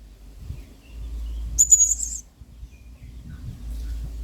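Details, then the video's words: Energetic 'main singa' singing by a blue-crowned hanging parrot, used as a model for training birds: one drawn-out, slightly buzzy, very high note lasting under half a second, over a steady low background rumble. "MASTERAN WAJIB !! BURUNG SERINDIT GACOR PENUH EMOSI MAIN SINGA."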